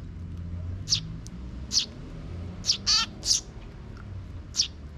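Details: Sparrow parent and young chick in a park, June 2023; scattered shrill chirps with a rapid buzzy trill near the middle, soft low rumble beneath.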